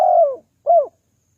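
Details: Spotted dove call used to lure wild doves: two low, soft coos, the first longer and gently falling, the second shorter and arched, in a quiet background.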